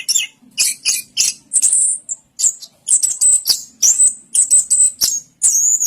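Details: Orange-headed thrush in Indonesia gives short bursts of high, thin whistles and sharp notes, some held briefly and some clipped, separated by tiny pauses, with a faint low murmur underneath.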